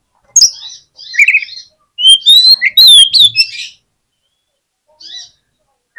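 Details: Oriental magpie-robin song played to coax a reluctant magpie-robin into answering: short harsh chips, then a rich run of clear whistled notes rising and falling between high and mid pitch, ending in a brief rasp after a pause.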